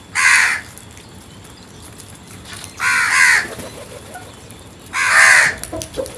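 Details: Crow cawing three times, each call harsh, drawn-out and nasal, spaced about two to two and a half seconds apart over a quiet background.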